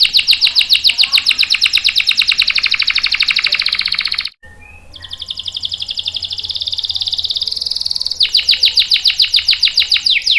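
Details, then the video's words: Canary song played to stimulate and train young or non-singing males: extended rapid trills, a short break, a smooth rolling phrase, then a loud pulsed series of sharp notes to the end. "SUARA KENARI GACOR ampuh buat pancingan dan masteran kenari paud dan macet | CANARY SINGING"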